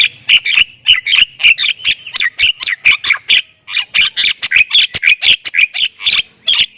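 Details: Energetic 'gacor full isian' song of a Thailand-type Javan myna: a dense run of rasping, squawky notes delivered almost without pause, with a brief gap midway before the chatter resumes.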